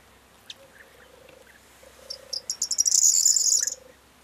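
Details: A corn bunting on 4 June 2022 gives its short song: a few quickening ticks swelling into a high, jangling rattle like shaken keys. A low purring trill repeats faintly behind.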